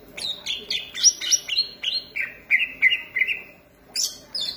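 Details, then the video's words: Green leafbird in full, vigorous song, pouring out quick bright whistles and sliding notes, a lively series of short descending slurs, then a pause and a fresh high burst. "cucak ijo gacor manteb banget"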